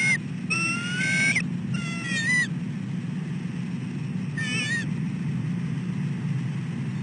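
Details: Bald eagle female calling at the nest as her mate feeds, 15 December 2013 in late afternoon; a quick cluster of shrill, wavering chitters in the first seconds, one more later, then only steady low rumbling.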